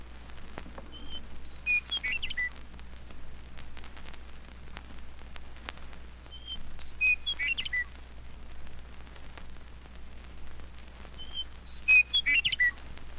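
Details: Western Meadowlark (Sturnella neglecta) sings three times, about every five seconds: a clear whistled opening tumbling into rich, bubbling, flute-like notes, over a low hum.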